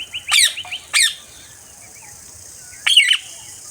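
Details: Parakeet screeching in quick harsh bursts, two close together then another after a pause, against a constant background hiss.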